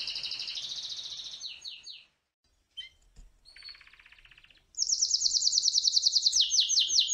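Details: Canary courting a female: high trilled phrases and falling notes, a brief pause with a few faint chips, a softer buzzy rattle, then a loud fast rising-and-falling trill closing the passage.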